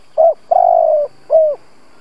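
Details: Lure spotted dove's 'gù' cooing phrase, meant to provoke other doves: a short hoot, a long low sustained coo with a fine quaver, then a clear downslurred coo, with no other sounds.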